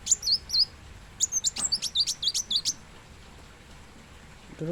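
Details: Plain sunbird, called kolibri wulung, giving a few high twisting squeaks, then a quick rattling run of sharp chirps, and finally a brief low sound near the end.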